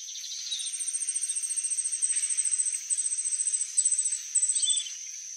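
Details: Glittering-bellied Emerald song: a long, fast, very high stream of thin, ticking notes. It carries on for about four seconds with short breaks, over a constant high whine of background noise.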